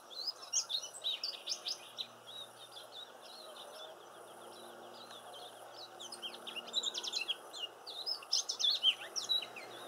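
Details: Silvereyes visiting a garden give thin, high, quick chirps and twitters in two busy bursts, with a quieter stretch between, over faint background hum.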